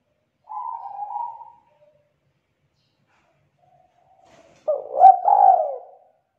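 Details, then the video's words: Young wild-caught spotted dove of the kuk 2 type, singing with a thick, loud, melodious voice: a smooth low coo of about one second, a pause, then a louder rough, throaty coo phrase that falls away. "Tekukur KUK 2 Gacor Suara TEBAL Volume KERAS MERDU"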